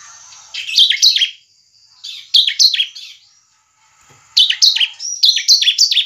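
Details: Bar-winged prinia; song; used to provoke other prinias into singing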